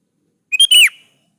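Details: Sooty-headed bulbul in full song, meant to call rivals and make other bulbuls answer: one short, clear whistled phrase of a brief note and a sliding, falling whistle, with silence around it.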